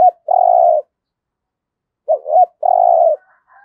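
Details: Spotted dove used as a decoy, in the 'giọng thổ' voice: a long smooth low coo, a pause, then two quick rising notes and another sustained coo, followed by faint soft notes.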